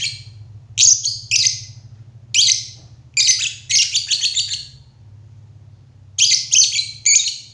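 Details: Lovebird producing piercing, high chirps in bunches, including a fast stuttering run of five or six notes in the middle, over a faint low hum.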